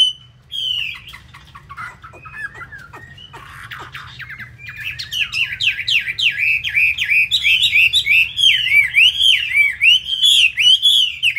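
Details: Hanoi hwamei described as loud and good at fighting. A few scattered whistles and soft clicking give way to a long, rapid, tumbling stream of rich warbled notes that rise and fall continuously.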